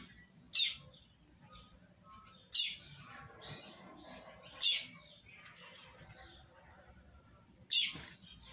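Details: Live recording of a double-collared seedeater, 'tui tui zel zel' singing meant for tutoring nestlings: four brief, bright, high-pitched notes spaced roughly two seconds apart, faint murmur beneath.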